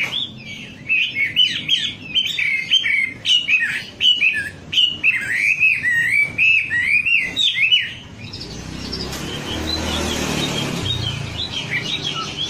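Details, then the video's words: Lure recording of wambi song: about eight seconds of lively, varied whistled phrases with rising and falling notes, then a burst of broad rushing noise as the song drops away. "Suara pancingan burung wambi agar cepat gacor"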